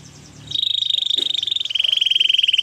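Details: Canary singing a training song: after a quiet half-second start, a fast, even, rattling trill at mid-high pitch rolls on, drops slightly lower and continues as a rapid pulsed roll to the end.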